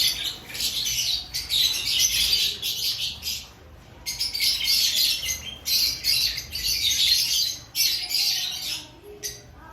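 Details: Lovebirds in an aviary ahead of breeding season, many birds chattering in loud, shrill squawks, bursts lasting one to two seconds separated by brief pauses.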